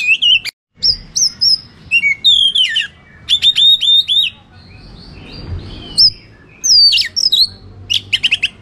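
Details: Oriental magpie-robin giving a fighting song to provoke rivals: sweet, piercing whistles and down-slurred notes in quick phrases, a quiet gap midway, then renewed bursts of loud varied whistling.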